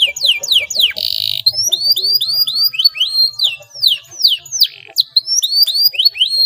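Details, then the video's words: Canary in a clear, prolific rolling song meant to coax mute canaries into singing. Rapid descending whistled sweeps are followed by a short buzzy burst, then a string of repeated rising-and-falling chips. "SUARA KENARI GACOR NGEROLL JERNIH INI TERBUKTI DAPAT MERANGSANG BUNYI KENARI BISU"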